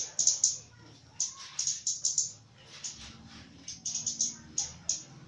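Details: Javan myna in active, chatty song, with bursts of bright, sharp high notes delivered in quick clusters, separated by short pauses, over a faint low hum.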